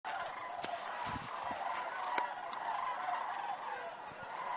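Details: Sandhill cranes migrating over Idaho, a flock chorus of rolling, rattling calls overlapping continuously, with a few sharper notes rising above the steady murmur.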